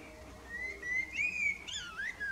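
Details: Common blackbird, a male, singing in the evening: a loud, clear whistled phrase rising and falling in a smooth flowing line with an overtone-rich middle, ending in a lower slurred whistle.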